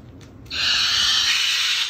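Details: A male Moluccan cockatoo gives one harsh, hissing, roar-like "dinosaur" screech that starts abruptly and holds steady for over a second after a brief quiet moment.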